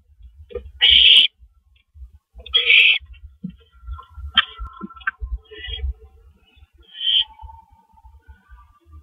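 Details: Owls on a porch at 3:16 AM on 19 April 2012, with two on the porch and a third at the door. Harsh, noisy screech bursts of about a quarter second come irregularly, with softer rustles and knocks between them.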